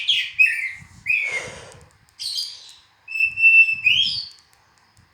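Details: Oriental magpie-robin song made of separate whistled phrases, some slurred down and others rising, each about a second long with short gaps between, plus a buzzy rasping note and light low background noise.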